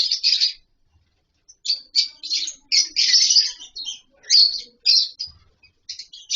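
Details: Captive colony lovebirds give a short shrill burst, a pause, then a busy sequence of sharp squeaky chirps and twittering, with faint low knocks.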